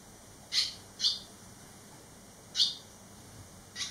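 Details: Barn swallow fledglings eleven days after fledging, three young returned; loud sharp high chirps in pairs, two near the start and two near the end, with a constant faint tone behind.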